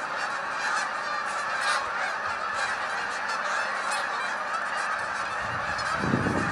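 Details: Canada geese, hundreds of them lifting off as a flock, give a thick wall of overlapping honks that stays steady throughout, with a brief low thump near the end.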